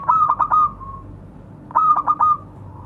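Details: Local zebra dove calling to others, a lure recording. Two phrases, each a rapid stutter of four clipped coo notes fading into a soft trailing tone, about 1.7 seconds apart. A low hum lies in the background.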